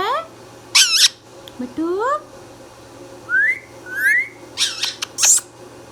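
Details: Green Indian ringneck parrot, a pet talking bird, indoors: short rising whistled notes, a few harmonic speech-like phrases and sharp high squawks, spaced irregularly with quiet gaps and a faint steady low hum.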